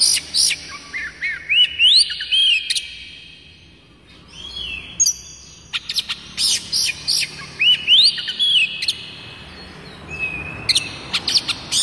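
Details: Oriental magpie-robin, locally kucica kampung, singing its typical kacer song, played to prompt other kacer to sing and to tutor young birds. Varied high whistles, upward slides and crisp chirps in quick bursts, with a short pause midway.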